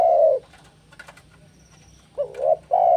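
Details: For luring and training doves, a spotted dove ends a long coo, falls quiet amid faint clicks, then delivers a fresh phrase: a short wavering coo and a sustained mellow coo.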